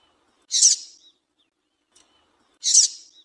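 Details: A female double-collared seedeater gives two evenly matched, hoarse, high chips about two seconds apart, a call said to warm males up and set them singing.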